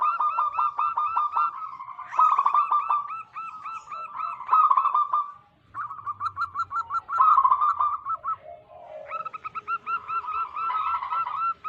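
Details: ['Overlapping zebra dove song from local wild birds, played as a lure for wild doves. Dense strings of quick, evenly spaced cooing notes run almost nonstop, with a lower murmuring coo in the background.']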